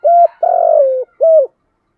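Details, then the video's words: Caged decoy spotted dove cooing to incite rivals: a single loud phrase of three low, husky notes, short, then long and slightly falling, then short again. "Tiếng chim cu mồi kích bổi nhanh nổi/ tiếng thúc đấu , gáy gọi. bài bản/ kích là gáy, cu cườm gáy"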